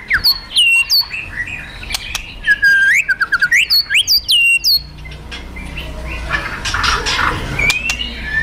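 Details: White-rumped shama of fighter type, provoking song of kretekan and tembakan: rapid sequence of sharp swept whistles and chattering notes for about five seconds, then quieter with background rumbling noise and a few distant notes.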